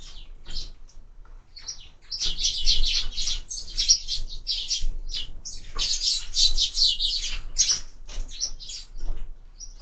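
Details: Several sparrows feeding at feeders fixed to a window chatter in dense, overlapping chirps after a quieter start, a near-continuous excited twittering with brief pauses.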